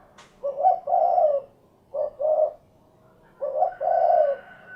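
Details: Spotted dove (derkuku) repeating its low, mellow call three times, each a quick double coo followed by a longer rolling coo, phrases separated by pauses of about a second; background otherwise quiet.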